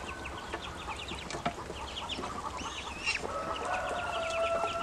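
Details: Several grown ducklings peep when hungry, short high notes in loose clusters, mixed with clattering knocks and a steady two-tone hum rising in the second half.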